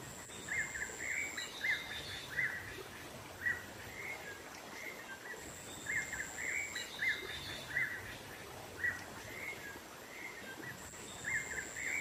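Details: Black-naped monarch call used as a lure for wild birds, set in the wild with added nature sound effects: short, bright chirping notes repeated in loose runs, over a steady high insect-like whine and soft background hiss.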